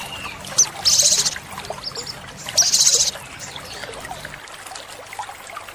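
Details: Olive-backed sunbird, called sogok ontong, in a training track for caged birds: two very high, rattling buzzy trills, each about half a second, spaced nearly two seconds apart over a soft hissing background.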